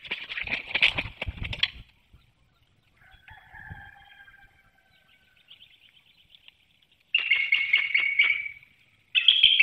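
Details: Mated bald eagles calling at their nest in Hanover, Pennsylvania, on 18 March 2019 in pre-dawn darkness, during a vocal exchange as incubation duty passes between them. Two bursts of fast, piping chatter frame a quiet middle with faint thin tones.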